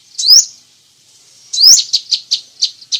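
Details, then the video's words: Crimson sunbird in a varied tutoring song: a bright upslurred squeaky note, a pause, another rising squeak, then a quick string of short, evenly spaced high chips. "masteran burung sepah raja banyak variasi"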